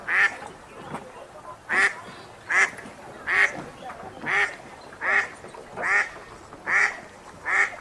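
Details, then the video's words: Wild ducks quacking at a lake, a series of harsh nasal quacks repeated roughly every 0.8 seconds, about ten in a row, over a soft, steady background of outdoor ambience. "Ducks at the Lake"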